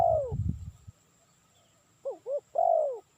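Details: Spotted dove, a call used for trapping lures: the tail of one coo, a pause, then two short clipped notes followed by a drawn-out, gently falling coo, with brief low rumbling at the start.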